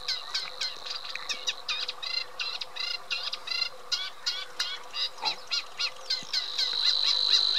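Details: Rhythmic, grating chatter from a Eurasian reed warbler: similar harsh notes repeated in even runs, with a steady high whine rising toward the end.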